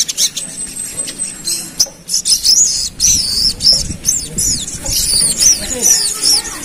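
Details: Pied fantail stirred into agitation, singing 'ngerap' style: after a soft start, a lively series of high looping whistles, rising and falling, follows closely one after another.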